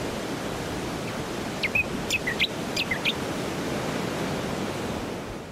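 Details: Brown honeyeater, Lichmera indistincta, filmed on the Sunshine Coast, Queensland, in September 2021; a quick run of short, bright, slurred chirps over about one and a half seconds, set against a steady roar of surf or wind.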